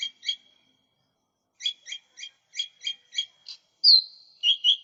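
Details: Lesser green leafbird song used as a lure: evenly spaced sharp two-part chips repeated about every third of a second, a loud downslurred whistle, then two buzzy notes; clean recording.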